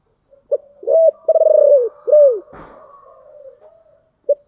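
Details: Spotted dove in 'giọng thổ' voice, a Vietnamese song style: a short coo, then a run of deep, rolling, stuttered coos and a falling arched coo. A brief knock interrupts before soft trailing coos and one last short note.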